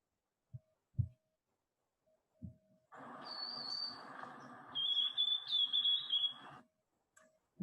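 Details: Plastic song of a young white-throated sparrow, variable and less certain than adult song: a high thin whistle, then a wavering lower whistled phrase, over a broad buzzy, noisy background for nearly four seconds.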